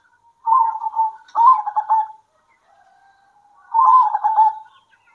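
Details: Midday exchange between local zebra doves. Three quick staccato coo phrases are heard, the first two back to back and the third after a quiet gap of about one and a half seconds, each with a rolling, rippling texture.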